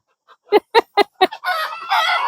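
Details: Farm chicken flock by a duck pond on an overcast morning, just after one chicken was pushed into the water. Four short, throaty clucks about a quarter-second apart, then a rougher, continuous burst of flock cackling with rushing noise.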